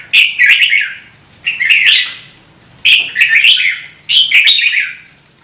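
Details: A red-whiskered bulbul repeats a rich, bubbling phrase four times, about once every 1.3 seconds. Hobbyists in Vietnam use such singing to coax other birds into song.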